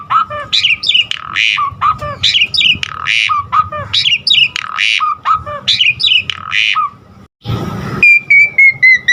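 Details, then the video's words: Asian pied starling singing hard with varied filler phrases, intended to train caged birds; a repeated phrase of chattering notes and a harsh buzz recurring every two seconds, a brief burst of noise, then thin descending whistles. "Pancingan Jalak Suren GACOR Isian Variasi Suara Burung Masteran Burung Jalak Agar GACOR Full Isian"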